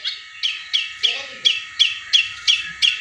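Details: Cendet, the long-tailed shrike, delivering tengkek buto–style shots meant to prompt stalled caged birds: eight sharp descending high notes spaced roughly every third of a second, steady and even.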